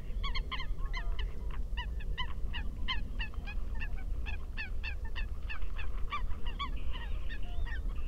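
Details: Eurasian coot giving a rapid run of short, clipped nasal calls, about three per second and fairly even in pitch, against constant low background noise.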